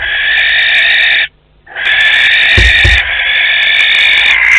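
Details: Pair of barn owls visiting a nest box in Théding, spring 2020: a sustained, harsh hiss, a brief break, then another long hiss with a couple of soft bumps.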